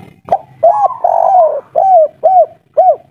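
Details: Local wild-type spotted dove in the 'kuk 3' style, calling agitatedly: a soft tap, then a long mellow coo sliding down, followed by three short, evenly spaced arched coos about half a second apart.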